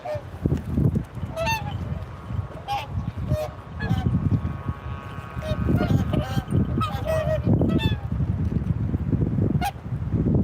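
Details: Swans calling, with repeated short nasal honking notes and several overlapping voices, over a steady low rumble of wind or background noise and some faint voices.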